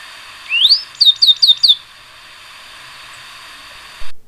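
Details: Tricolored brushfinch, Atlapetes tricolor, singing one rising high whistle followed by four short, evenly spaced downslurred notes, against a steady background hiss.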